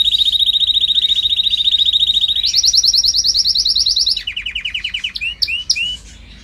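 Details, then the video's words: Singing canary from a training recording, moving through tours: a long rapid trill on one pitch, a higher faster trill, a lower slower rattle, then a few separate upward-slurred whistles. "Canary singing"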